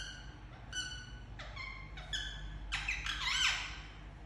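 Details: Indian ringneck parakeet kept as a pet, making very loud chirps: spaced, clear harmonic notes early on, building to denser, harsher squawky bursts toward the end over a low steady hum.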